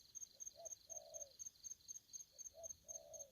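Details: Aggressive spotted dove: two phrases of a soft short note, a brief coo and a long, low, rasping coo that fades. Regular high ticking runs underneath.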